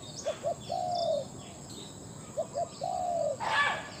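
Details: Spotted dove kept as a captive decoy bird in a session luring wild doves, giving two short clipped notes followed by a long, drawn-out, slightly falling coo. The phrase repeats twice, with faint high chirps from other birds.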